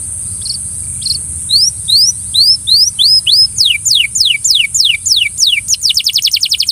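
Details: Belgian canary urging a companion canary to sing. A couple of soft notes give way to a run of rising, then falling, clear slurred whistles, speeding up into a fast high trill.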